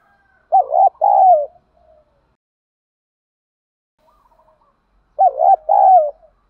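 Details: Lure cooing of spotted doves, male and female together, used to excite birds in training: two deep cooing phrases about four seconds apart, each a quick wavering note then a longer falling one.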